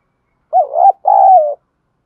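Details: A decoy spotted dove singing in the 'giọng Thổ' style delivers one clear two-part coo, a rising-and-bending short note and then a prolonged hoot that sinks slightly at the end. The background is quiet.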